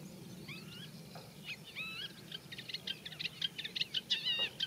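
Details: Eurasian reed warbler singing in a reed bed, a song rich in mimicry of other birds: a few clear whistled slurs open, then scratchy chattering notes quicken into a dense, repeated rhythm.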